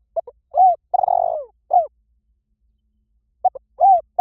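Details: Lure calling by a spotted dove in Vietnam, two phrases about three seconds apart. Each phrase has clipped notes and an arched coo, and the first also has a long burred purr and a downslurred ending.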